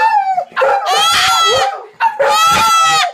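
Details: A pet cockatoo gives two very loud, harsh, raspy screams, each about a second long, with a short gap between them; the owner then asks if it is done and whether it is talking to the neighbours.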